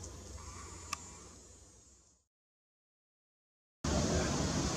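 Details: Low hiss with a single faint click fades to silence for about one and a half seconds, then loud broadband noise resumes; no animal calls.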